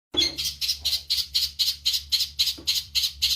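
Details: Eurasian tree sparrow, used as songbird training audio, giving a steady series of loud, sharp chirps about four per second, each a broad high burst, with one faint lower note midway.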